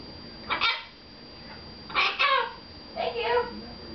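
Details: A pet red-fronted macaw, Cosmo, talks in a bathroom in three short, word-like bursts, each with a rasping, voice-like tone. The room is otherwise quiet.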